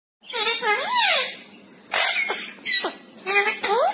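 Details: A parrot says the phrase "Mian Mithu choori khani aye" in shrill, nasal, human-like syllables with squeaky rising and falling inflections over a faint steady high whine.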